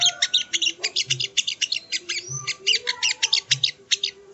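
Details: Masteran training audio of the sogon, or ruby-cheeked sunbird: steady rapid sequence of high, sharp chirping notes, with faint thin whistles and soft low thuds repeating beneath.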